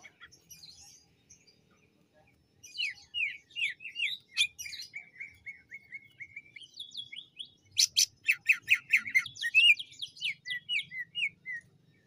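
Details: Greater green leafbird from Banyuwangi, lure recording: a varied song of quick scratchy notes, a level trilled stretch, then a rapid series of loud sharp repeated chips and descending slurs, in a quiet setting.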